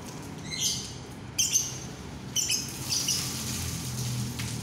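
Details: Lovebirds on a cloudy, overcast day: harsh, raspy high squawks in short bursts, roughly one a second, separated by brief gaps, with a low background hum.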